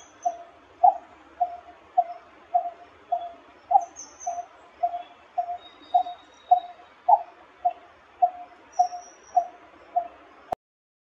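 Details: Coppersmith barbet repeats a low, hollow "tuk" about twice a second in a steady metallic series, with faint higher bird notes in the background.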